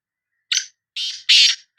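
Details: Three hoarse, buzzy notes from a black francolin of Sindh, the last longest and loudest, delivered within about a second.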